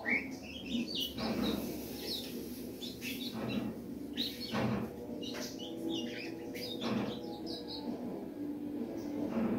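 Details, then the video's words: Young ultramarine grosbeak, three months old and full of energy, giving scattered short high chirps and brief twittered notes, interspersed with clattering knocks like a cage or cupboard moving. "filhote de azulão 3 meses com muita fibra"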